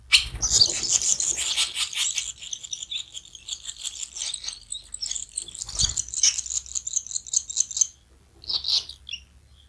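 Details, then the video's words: Barn swallows at feeding time: a dense, continuous high chattering of rapid buzzy notes for about eight seconds, then a short pause and a final brief burst, with faint low rumble beneath. "l'Hirondelle rustique au nourrissage"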